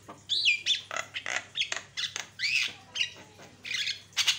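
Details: Song of a Javan myna played as a lure for other mynas: coarse, grating squawks and downslurred whistles, each burst about a third of a second, repeated steadily.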